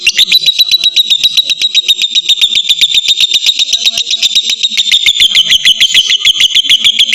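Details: Lovebird giving a full ngekek trill, used as a lure to lengthen other lovebirds' singing: a continuous, shrill, high chattering trill of rapid pulses, about four per second, sustained unbroken throughout.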